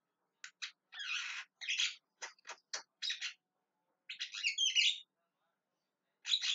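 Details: Javan myna calling repeatedly: harsh, broadband squawks and chattering notes in short bursts with brief gaps, some rasping phrases, in a quiet setting with no other clear sounds.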